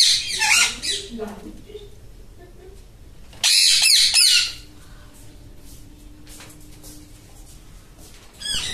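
Alexandrine parakeets give loud, harsh squawks in short bursts, one near the start and a longer, louder burst in the middle, with quieter chatter between.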